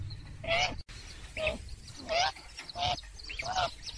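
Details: Purple swamphen lure call for trapping: five nasal, slightly rising squawks spaced about every 0.7 seconds over a low background hum.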